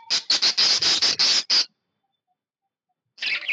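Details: Happy pet budgerigar giving a run of about seven rapid, harsh, scratchy chirps over under two seconds, then a pause and a short burst of raspy chatter near the end.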